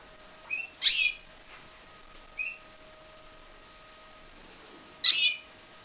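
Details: Captive-bred pied Timbrado canary uttering a few brief high chirps: a loud rasping burst near the start, small tonal notes in between, and another harsh burst toward the end, with a low constant hum behind.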